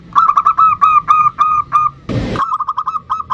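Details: Zebra dove of the bodronoyo line, sung to lure other birds into song; rapid mellow cooing notes, around three a second, louder at first, a short rustling noise midway, then quicker softer notes.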